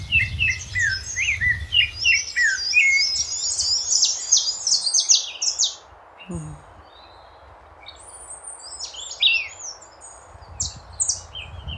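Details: Chopi blackbird singing in nature: a rapid burst of bright, high chirps and whistles for about five seconds, then a near-quiet gap, then scattered sharp notes returning, with a low rumbling background.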